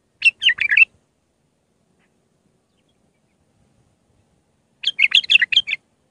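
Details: Iraqi bulbul of the raw Mandalawi type, singing as a tutor for young bulbuls: two short bursts of rich, quick warbled notes, each under a second long, separated by about four seconds of silence, with no other sounds.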